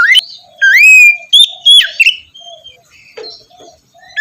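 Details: Oriental magpie-robin song for a morning session to coax a quiet bird: rising whistles, clear level notes and sharp falling slurs in quick bursts, followed by softer low chattering notes.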